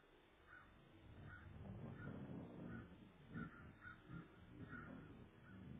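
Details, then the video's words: Ravens heard close to an eagle nest as the eggs sit exposed, 12:44 pm, 23 February 2014; a string of brief hoarse caws repeated under a second apart, with heavy low-pitched rumble and wind-like noise beneath. "Raven Alert"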